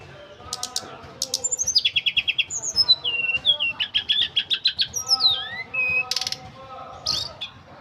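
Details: Ashy tailorbird (tledekan gunung) in a full wiksar song: a fast, unbroken run of high chirps, rapid trilled notes and sliding whistles, rising and falling in pitch for about seven seconds, with faint low steady hum behind.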